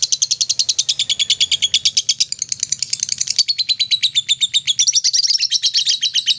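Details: Lovebird ngekek song for stimulating other lovebirds: an unbroken, rapid stream of high, scratchy chirps, slightly changing pitch partway through, with no other sounds clearly heard.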